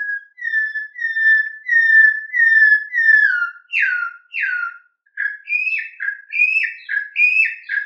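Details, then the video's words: Campo troupial, kept for breeding, singing the canto mateiro style: clear whistled notes repeated about every 0.7 seconds, slightly falling, then lower downslurred whistles and finally two-part rising-falling phrases, with no background noise. "CORRUPIÃO CANTO MATEIRO"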